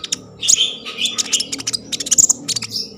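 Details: Lively common iora singing, used as a lure to stimulate breeding condition and singing: crowded high chirps, squeaks and brief whistles over a steady low hum.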